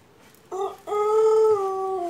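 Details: Pelung chicken long crow: a short opening note, a brief pause, then a loud sustained harmonic tone that sinks slightly in pitch toward the end.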